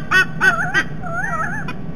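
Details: White-bellied Sea Eagles at a nest near the Parramatta River, Sydney Olympic Park, Australia, 16 December 2021, as the male returns home: loud goose-like honks, three quick nasal notes, then a longer wavering cry and a final short honk.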